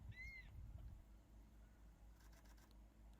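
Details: Crested serpent eagle on Ishigaki Island, Okinawa, in breeding season, birds calling to each other; one is thought to be a female while the male chases an intruder, not juveniles. A clear single whistled note rises then falls, over low wind or engine rumble.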